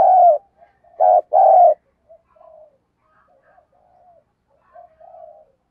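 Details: Spotted dove used as a lure bird, cooing: one strong low note, then a two-part deep coo, followed by several soft, muted murmuring notes trailing off.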